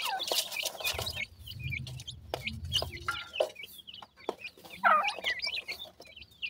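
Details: Young partridge chicks peep in short, high, bent notes while eating. A low rumbling murmur runs under the opening seconds, and scattered pecking taps follow.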